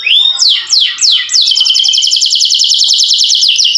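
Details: Canary in full song, offered to spur silent canaries into singing: three looping descending whistles, then a fast even trill of high notes held for over two seconds.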